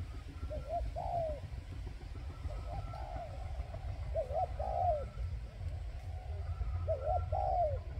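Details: Decoy spotted dove used to lure wild doves: short two-note cooing phrases, a quick doubled lead note then a longer falling coo, repeated about every two seconds over steady low rumbling background noise, with faint higher tones behind.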